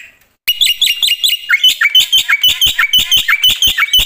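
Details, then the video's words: Black-winged myna in loud, full song with mimicked fill notes: after a short quiet start comes a rapid, even series of high chirps mixed with lower whistled slurs. "suara KERAS jalak putih gacor full isian"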